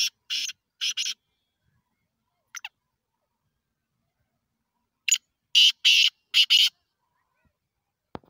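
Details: Black francolin giving harsh, scratchy calls: a rasping pair of notes, a faint short note, then a louder grating sequence of four notes in quick succession, with silence between phrases.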